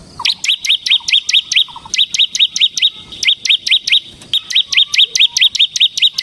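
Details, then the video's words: Bar-winged prinia of the ciblek semi type in gacor ngebren song for luring birds: a long, nearly continuous run of high, clipped chirps, roughly three to four per second. "suara burung CIBLEK SEMI GACOR Ngebren Ampuh untuk Pancingan Ciblek Kristal dan Masteran Ciblek"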